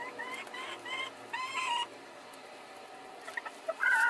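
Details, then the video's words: Two hens competing to lay an egg in the same place at the same time: a run of short harmonic clucks in the first two seconds, a quieter pause, then louder nasal squawking notes near the end. "When two chickens fight to put the egg in the same place and at the same time"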